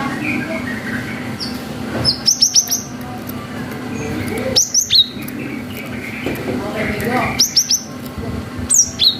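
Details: Cinereous tit in full 'wucit' song, recorded to stir young birds to respond; three separate bursts of quick, high, downslurred whistles spaced a few seconds apart, over a low steady hum.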